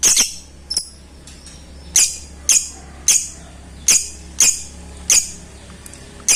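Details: Lovebird call meant to summon a rival and rouse quiet birds: piercing high squeaks repeated at irregular gaps of under a second, over a low indoor hum.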